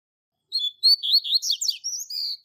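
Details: Double-collared seedeater tutor bird giving the classic Tui Tui Zel Zel training song: a bright two-second phrase of whistled notes, a burst of fast downward sweeps, and long level whistles at the end.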